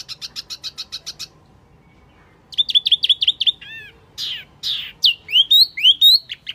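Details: Wambi mini bird lure call, a sound for attracting birds: a rapid series of high buzzy chips, a pause, then bright repeated whistled notes and sweeping upslurred chirps, clear with no background noise.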